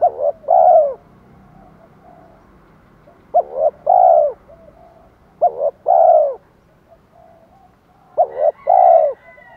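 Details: Decoy spotted dove call, Thổ voice mixed with provoking fight phrases to draw wild doves: four even phrases, quick double note then a rich low coo, every two and a half seconds.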